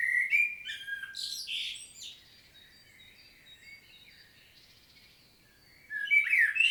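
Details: Field recording of a common blackbird in Świnoujście, Poland, 25 September 2022: a rich fluted phrase with a squeaky flourish, a long pause with faint high notes, then a new warble begins.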